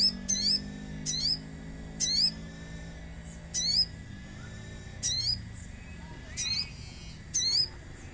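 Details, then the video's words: Common iora singing actively with nature sounds: seven ringing, down-slurred whistled phrases with rich overtones, repeated roughly once a second, over a low continuous hum. "Pancingan sogon agar bunyi | sogon gacor suara alam"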